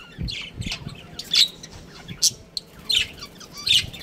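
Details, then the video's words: Lively chirping from a budgerigar breeding pair, with loud, high, squeaky chirps and short chattering bursts repeated unevenly every half to one second. "Adorable Budgies Chirping Sounds"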